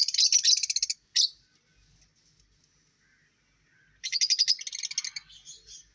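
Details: Two dense bursts of shrill lovebird chatter are separated by a near-silent gap of about three seconds with only faint notes.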